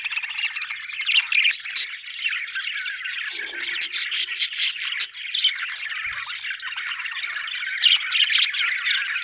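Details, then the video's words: Budgerigar chirping over several seconds: continuous raspy warbling with scattered sharp high clicks and squeaks, rising into louder bursts at intervals. "budgie chirping sound"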